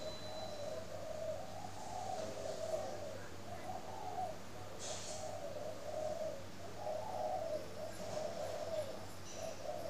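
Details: Kept spotted dove in Ba Vì, Hanoi, northern Vietnam, calling in the morning: a run of soft, low, throaty coos in repeated phrases roughly every second or two, with a brief hiss midway and a quiet background hum.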